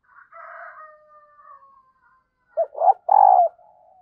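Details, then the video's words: Female dove calling to stir a male, a sound wild birds are said to answer fast; a hoarse, fading higher call opens, then after a pause one low cooing phrase of clipped notes ending in a long drawn coo. "Tiếng Chim Cu Mái Kích Trống"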